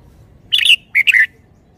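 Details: Red-whiskered bulbul singing a phrase praised for its fine phrasing and style: two quick bursts of bright, warbled notes, the second ending in a slurred downward whistle. The background is otherwise quiet.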